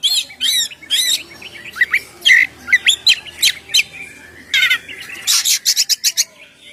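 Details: Oriental magpie-robin in loud ngeplong song used to lure birds and set them singing: varied whistled slurs and sharp clicks at an uneven pace, building to a dense run of high ticking notes.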